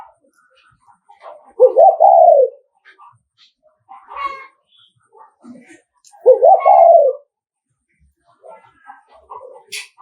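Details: Spotted dove from Nghệ An uttering provocative thúc gù coos to rouse rival males; two deep, breathy coo bursts about five seconds apart, each with a broken start and falling end, amid soft chatter and clicks.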